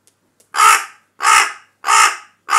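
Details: Captive rescued crow calling angrily indoors after its hidden food was taken by another bird: four loud, harsh caws spaced about two-thirds of a second apart, each hoarse and slightly falling.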